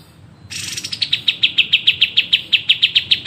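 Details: Songbird song as a training master: after a brief buzzy burst, a steady series of clipped, high chip notes repeats roughly five times a second, over a faint low hum.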